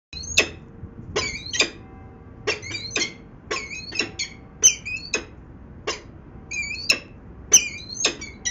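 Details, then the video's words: Peregrine falcons at a nest site in Venlo, Netherlands, on 19 February 2021 at 14:50: sharp, harsh, clipped calls repeated irregularly, some with chattering double notes, over a low steady background hum. "Slechtvalken Venlo"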